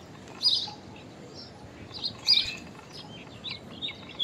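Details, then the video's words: Common myna with an unusual call: two loud scratchy chirping bursts about two seconds apart, then softer high twittering notes trailing off, over steady low background noise. "Common Myna Unusual Call! Common Myna Song! Common Myna Sound! Common Mynah Call! Song! Sound!"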